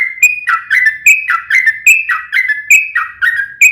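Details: Sooty-headed bulbul, local name trucukan, in energetic gacor song for drawing other bulbuls to reply: repeated whistled phrases alternating rising and falling slurs, about one phrase per second, clear and continuous.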